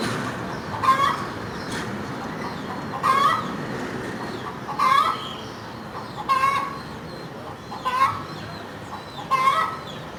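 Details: Chicken cackling, giving short nasal clucking calls roughly every one and a half seconds over a steady low background hum.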